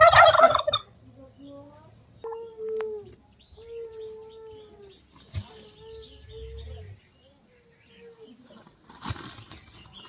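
Turkey giving a string of soft, level yelping notes, each about half a second long, between loud broadband bursts at the start and end.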